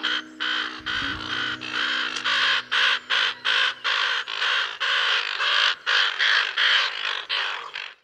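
Common Raven: harsh, throaty croaks, about a dozen in quick succession, each rough and guttural. A faint low hum sounds at the start.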